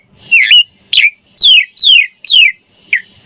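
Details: Lively jalak suren (Javan pied starling) singing with a pumping display: a twisting whistle, then three loud downward-slurred whistled notes about half a second apart, ending in a short lower whistle.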